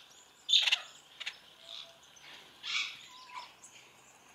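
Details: A pair of white-browed woodswallows in a large open flight aviary, feeding on mealworms. Short, sharp chirps with a bright harsh burst near the start, then scattered softer notes and a brief low whistle.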